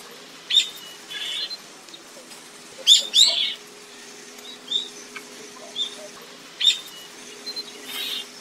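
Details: Common starling song made of scattered sharp clicks, short squeaky whistles and brief harsh bursts at an uneven pace, with a low steady hum in the background.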